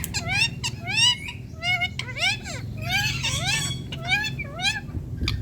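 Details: Green ringneck parakeet, an Indian talking parrot, speaking while perched on a plant: a rapid run of harsh, harmonic-rich, speech-like syllables that bend up and down, with steady low background hum.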